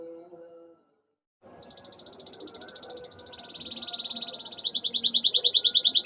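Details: Constantly singing canary whose song is filled with ciblek and ciwah (klik-klik) imitations: after a short silence, a long rolling high trill, steady and rapidly pulsed, grows louder and shifts slightly lower in pitch.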